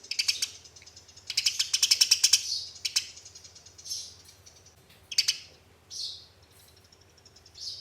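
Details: Fighting sparrows, a lure for caged birds: high, scratchy chattering in rapid buzzy bursts, one dense run of clicking chirps lasting about a second, then scattered sharp chirps with pauses between, over a faint low hum.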